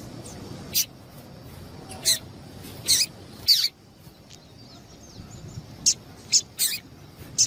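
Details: Female double-collared seedeater calls used to stimulate males to sing: short, sharp high chips spaced irregularly about a second apart over a steady background hiss.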